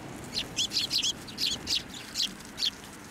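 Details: Flock of Eurasian tree sparrows flying to a hand for food at a Tenmangu shrine, 9 December 2023; about eight sharp, high chirps in quick, uneven succession.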